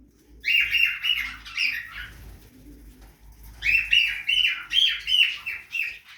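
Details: Budgerigars in a backyard aviary chatter busily while feeding. Two long runs of rapid, twittering, slightly buzzy chirps are separated by a quieter pause with faint rustling.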